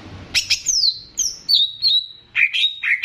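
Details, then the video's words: Banyuwangi greater green leafbird in a training recording to raise leafbirds' excitement, mixed with bebeci-style phrases. Clear, high whistles slide downward one after another, then lower, fuller notes close the phrase, over light background noise. "MASTERAN CUCAK IJO UNTUK MENAIKAN EMOSI"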